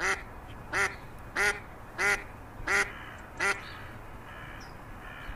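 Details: Six loud, rich, nasal quacks from a pond duckling, evenly repeated about every 0.6 seconds, then silence apart from faint background hiss.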